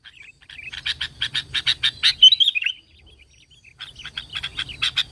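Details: Sooty-headed bulbul song used as lure sound for other bulbuls: a run of fast rattling notes capped by a sweet whistled warble, a gap with soft whistles, then the rattling resumes.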